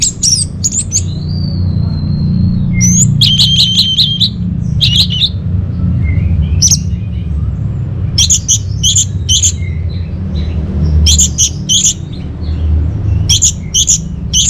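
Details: Orange-headed thrush master song for caged birds: a sustained thin whistle, rapid stuttering high notes, then evenly spaced sharp chips repeated about once a second, against a constant low hum.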